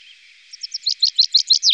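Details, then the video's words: Common chaffinch, Wittlicher Tal, 2018: a short run of about eight clear chirping notes, growing louder and repeated roughly every seventh of a second, cut off mid-phrase. "Buchfink 2"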